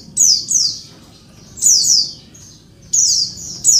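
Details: Female Oriental white-eye calls to make males answer fast: high slurred chips in paired bursts about every one and a half seconds, thin and sharp, with a quiet low hum behind.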